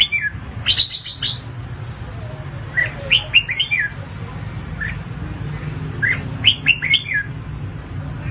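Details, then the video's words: A red-whiskered bulbul sings in fighting form, three bursts of quick, bright, lilting whistles, each a few notes long and spaced a few seconds apart, over a low steady hum. "Tiếng Chào Mào Hót Đấu Kích Bổi Căng Lửa"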